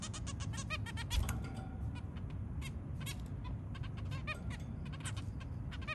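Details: Early morning calls from a zebra finch family with three babies: a busy series of short, nasal, honking notes, clustered at first, then spaced, then fast again, with a steady low hum underneath.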